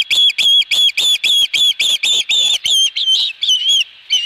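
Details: Osprey at the nest with a fish, Dunrovin Ranch, 22 August 2020: a rapid burst of high chirping whistles, nearly four a second, that slows and fades toward the end.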